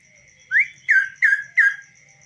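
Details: Hand-tamed kaso-kaso bird singing without a cage. One rising whistle is followed by three loud, clear down-slurred notes in quick succession, with a constant thin high tone behind.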